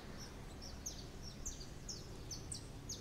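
A saffron finch sings a string of thin, high chirps, about two per second, over a steady low rumble of background noise.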